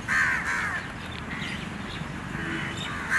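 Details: Little bird begging as it chases its mother for food in the morning, giving a harsh, grating call at the start that trails into fainter rasps, then another loud raspy note at the end over constant outdoor hiss.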